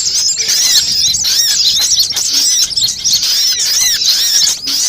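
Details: Lure sound aimed at all sunbird kinds for trapping: continuous high-pitched twitter of rapid sharp notes and looping squeals, densely layered throughout.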